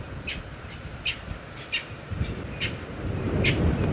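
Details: Hadeda Ibis shouting in the early morning (about 6:42 AM, 18 Sept 2016) at Djuma Game Reserve, with Natal spurfowl also calling: loud, harsh, nasal calls about every two-thirds of a second over engine and wind rumble.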